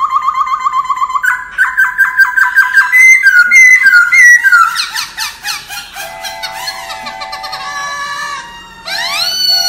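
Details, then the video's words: Laughingthrush song in the standard wild style, used to train birds' voices: a run of quick repeated whistled notes, then rising and falling slurred phrases, steady held tones and a final bright upward sweep. "Luyện giọng chim Khướu chuẩn giọng rừng"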